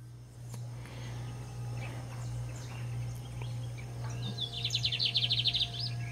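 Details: Lined seedeater (Sporophila lineola) from Brazil singing hard: scattered thin high notes, then a fast run of about a dozen bright, evenly repeated chips over roughly one and a half seconds, above a steady low electrical hum.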